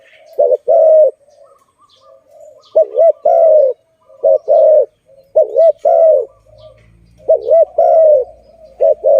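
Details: Zebra dove, known as Malay dove, cooing steadily near a trap: five or six phrases of a humped note plus a drawn-out coo. A low rumble enters toward the end.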